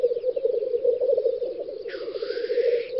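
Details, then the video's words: On a Russian spring lek, May 2019, black grouse give a steady rolling bubbling, then about two seconds in a sharp, breathy sneezing hiss breaks out over it; faint bird whistles sound early on. "Тетерев-косач токует"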